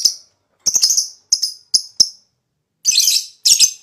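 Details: Lovebird sound played to provoke other lovebirds into long chattering; harsh, buzzy high chirps, some single and some in quick stuttering bursts, separated by short silences, ending in two longer rasping bursts.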